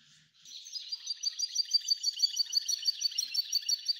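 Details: F1 hybrid goldfinch singing eagerly: a steady, rapid warbling trill of bright, high chirps repeated evenly about three times a second after a brief quiet start, with no other noises.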